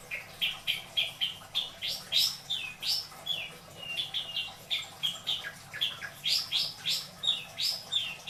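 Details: Pet long-tailed shrike in Indramayu, Indonesia, sings a continuous, lively stream of short whistled and buzzy notes, varied in pitch, several each second, with some mimic-like slurred phrases.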